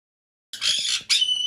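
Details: : two harsh, broadband squawks from a 5-year-old female Black-headed parrot kept indoors as a pet in a bird room, the second ending in a thin whistled tone.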